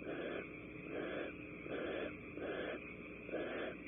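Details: Barn owls during mating at Starr Ranch, California, as the female joins the male. Harsh, wheezy rasping hisses sound five times at roughly one-second intervals.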